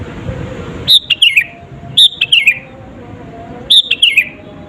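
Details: Sooty-headed bulbul in full voice, meant to bait rival birds into reacting: three crisp whistled phrases, each a high note followed by a tumbling descending twitter, with low background noise.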